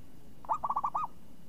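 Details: Crisp, swinging song of a champion zebra dove: a single phrase of about six bubbling coos in quick succession, ending in a drawn-out note, with little else audible.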